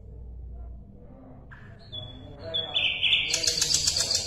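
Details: Asian brown flycatcher song for tutoring competition songbirds, opening faintly with a low rumble before a rising whistle, then a loud, harsh, rapidly repeated chattering burst.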